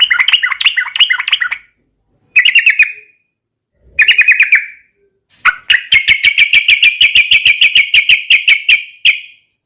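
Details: Yellow-vented bulbul (trucukan) in aggressive fighting song aimed at drawing out opponents: several short chattering bursts, then a long, rapid, evenly spaced string of sharp chips lasting about four seconds.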